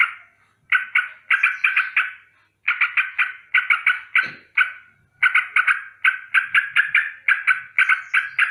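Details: A sooty-headed bulbul gives a rolling alarm against danger in the morning: groups of rapid, raspy chatter separated by short silences, with a brief low thud partway through.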